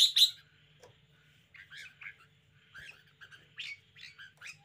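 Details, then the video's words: Caged red-whiskered bulbul in spirited display: a loud harsh note opens, then spaced short warbled and chirped phrases, with a low hum throughout. "นกกรงหัวจุก 90 chao mao. bulbul birds. red-whiskered. cambul."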